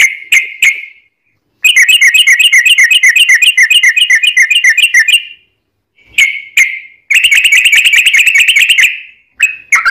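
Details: Yellow-vented bulbul producing long rapid trills to prompt other birds to answer: sharp chirps, then an extended fast rattle, a pause, chirps again, and a second long, slightly buzzy trill.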